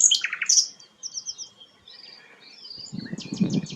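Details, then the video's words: Sikatan londo flycatcher, a rare bird, giving loud high chirps, then a soft thin whistle and faint twitters, with low knocking noise at the end. "burung langka sikatan londo"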